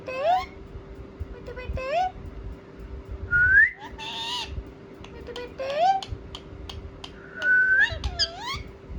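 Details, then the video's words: Ringneck parakeets talking and responding: short speech-like syllables alternate with two clear upward-sliding whistles and a brief raspy screech, with a low steady hum throughout. "Parrot Talking | Ringneck Talking Parrot | Funny Parrot Sound"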